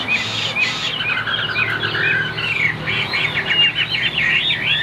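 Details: Chinese hwamei kept as a cage bird, white wings and tail, singing high and loud: varied whistled notes then a run of quick looping, warbling phrases repeated in a rolling series.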